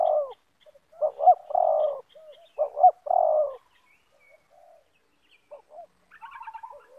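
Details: Spotted dove of the loud 'banggo' type, lure bird and wild bird meeting in a yard; two phrases of short double notes and a long burry coo, then softer fragments and a burst of chattering from another bird at the end.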